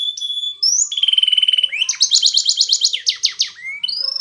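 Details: Training song of a Spanish Timbrado canary for teaching a silent canary: level whistled notes step upward, then a fast metallic trill of about a dozen beats, ending in falling slurs and a rising whistle.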